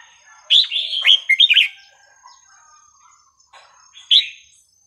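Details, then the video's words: Red-whiskered bulbul with a sweet, varied song, played to teach young birds: a burst of bright warbled notes, then a pause and one short whistled phrase near the end. A faint steady high tone runs throughout. "นกกรงหัวจุกสำนวนเพราะๆ ร้อง เพลงไม่ซ้ำกัน"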